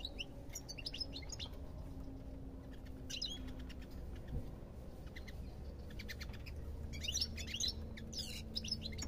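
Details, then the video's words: Goldfinch twittering in separate bursts of quick high chirps and trills divided by quieter gaps, fairly faint, with a low hum underneath. "ربع ساعة من تغريد طائر الحسون"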